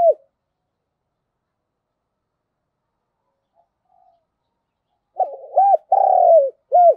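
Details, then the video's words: Spotted dove used as a decoy to urge other doves to call: a long quiet stretch, then a short series of low, hollow coos, one drawn out and the others brief and clipped. "Tiếng chim cu gáy thúc bổi hiệu quả nhất - Chim Cu Mồi"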